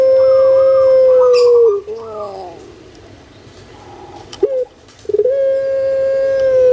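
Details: Pet puter pelung spotted dove in Indonesia: a held, level coo ending in a dip, a quiet gap with faint gurgling notes, then another long steady tone begins.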